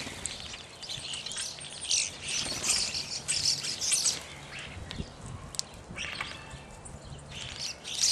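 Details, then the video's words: Evening grosbeaks calling in a busy cluster of high chirps and buzzy squeaks for about three seconds, then sparser single notes, with low background rumble. "Evening Grosbeak"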